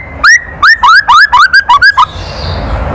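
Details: Provoking kretekan from a white-rumped shama: eight loud, rising whistled notes, each a quick upward slur, spaced about a quarter second apart, followed by quiet background hiss.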